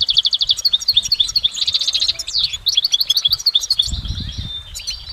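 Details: In the wild, a goldfinch pours out a long, bright song of rapidly repeated liquid chips, sliding whistles and trills, barely pausing, with a brief low thud near the end.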